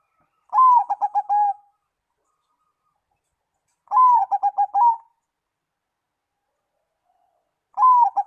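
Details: Zebra dove song that prompts other doves to answer and sing; a long sliding coo drops into quick staccato coo notes, the phrase repeated three times about every 3.5 seconds against a silent background.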